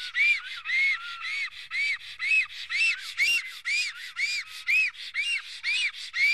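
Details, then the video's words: Black stork at its Estonian nest, recorded 15 April 2018 near midday while defending the nest, giving rhythmic whistled notes, roughly two each second, each an arched rising-falling tone, with one soft knock midway. "Must toonekurg~Nest defending"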